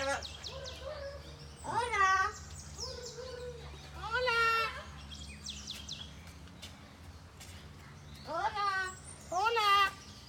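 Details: Cockatoo at Buenaventura Zoo saying hello (hola): several raspy, voice-like bursts with stacked harmonics, some falling in pitch, spread across the clip between quieter murmurs and a low background hum.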